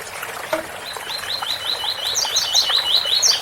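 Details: Coleiro singing the tui tui bitola song style beside a waterfall: a run of quick rising chips that climbs into higher, paired sharp notes near the end, over a steady rushing water hiss.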